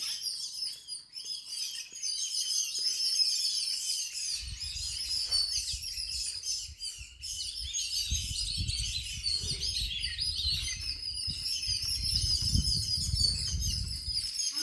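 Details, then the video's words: At home, a flock of birds chirps continuously in quick, irregular high tweets, while low rumbling noise comes and goes in the background. "Bird chirping sounds in my home"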